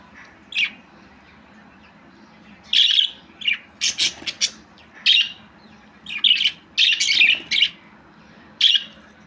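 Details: Budgerigar giving short, harsh, scratchy chirps and squawks in scattered bursts, with a dense cluster of rapid notes around seven seconds, over a faint low steady hum.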